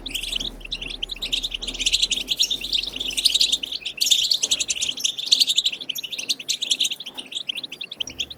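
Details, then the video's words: European goldfinch singing a batbata khalawiya style song used to prompt goldfinches to sing: continuous, rapid high twittering with jangling, scratchy notes and no real pause, steady in loudness throughout. "بتبتة خلوية جديدة لتحفيز الحسون على التغريد بتبتة خلوية لتحفيز طيور الحسون"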